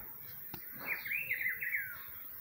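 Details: Rufous-browed peppershrike singing in spring: one clear, loud phrase of rapid slurred whistles bouncing up and down for about a second, preceded by a brief click.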